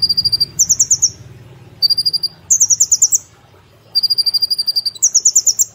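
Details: Song of a caged brown-throated sunbird, used to train other cage birds: almost unbroken chains of quick, very high, ticking notes that switch back and forth between two pitches, with only brief pauses.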